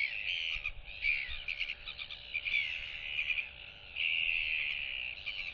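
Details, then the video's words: Royal albatross chick displaying to neighbouring chicks, 8 July 2023, turning its head side to side: a continuous high, wavering whistled band with brief louder modulated bursts, over steady background hiss and a faint low hum. "Royal Albatross ~ NTF Follows SSTrig's Footsteps & Displays & Whistles to UQ & Quarry Chicks!"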